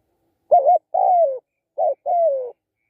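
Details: Two crisp coo pairs from a spotted dove. Each pair opens with a short, bubbling note and ends in a mellow, falling coo, with quiet between them.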